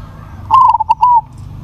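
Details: One powerful phrase from a crossbred zebra dove: an abrupt high coo, quick broken notes and a smooth drawn-out ending note, over a low background murmur.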